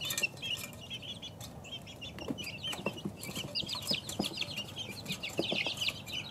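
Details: A brood of chickens two weeks old, chirping steadily in high, thin notes that grow busier toward the end, with faint tapping and low background noise.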